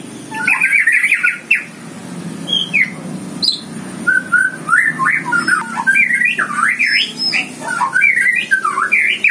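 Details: A Greater Green Leafbird near a mountain aviary where tame birds fly free outside cages sings a quick, varied run of whistled, sweeping and chattering notes, phrase after phrase, over a low background hum.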